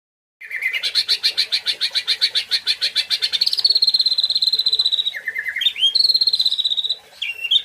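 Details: White-rumped shama, called a national champion, singing a rapid run of roughly twenty-five sharp, evenly repeated notes that rise slightly, then long high sustained whistles broken by abrupt lower dips and quick upturned notes; clean recording with no other sounds.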